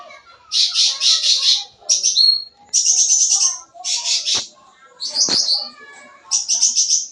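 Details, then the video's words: Full-isian singing of a sooty-headed bulbul, a lure for young birds: repeated buzzy rattling bursts alternating with sharp whistled slurs, separated by brief gaps, with a few clicks in between. "Suara Cucak Ranting Gacor Full Isian, Cocok Buat Pancingan Burung Bahan"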